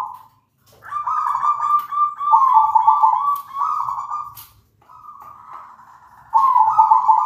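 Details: Zebra dove song used to lure other zebra doves into singing, loud and melodious: a run of warbling, purring coos following closely one after another at steady pitch, with a few soft clicks between.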